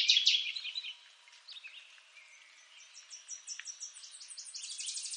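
A Northern waterthrush gives a loud, bright opening burst, then a quick series of high, clipped notes repeated several times per second, over faint outdoor background.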